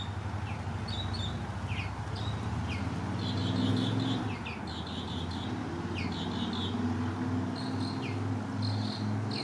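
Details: Western bluebird being hand-fed gives soft, wavering, chattering notes in short bursts repeated throughout, over a constant low droning background rumble.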